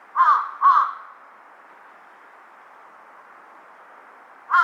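A large-billed crow gives two hoarse, nasal caws in quick succession, then a third begins after a pause; a steady low hiss runs underneath.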